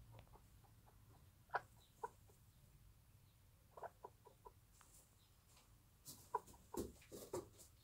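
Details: Bantam hen with her newborn chicks in a warm nest on a small backyard farm: short, soft clucks come singly and in small clusters near the middle and end of the clip, over a low steady background hum.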